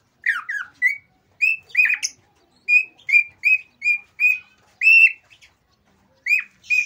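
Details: A male cockatiel whistles an agitated breeding song, a series of clear, slightly upslurred notes repeated at roughly even intervals, with a silent gap before two final whistles.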